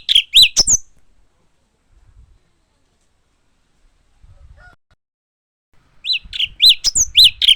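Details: Japanese white-eye producing two short bursts of rapid, high, arched chirps separated by several seconds of near silence.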